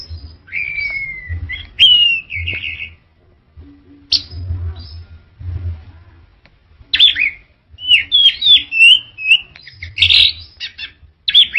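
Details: Orange-headed thrush song: a long falling whistle, then a halting start of scattered notes. It builds into a quick series of bright, looping whistled notes and trills, with faint low thumps in the background.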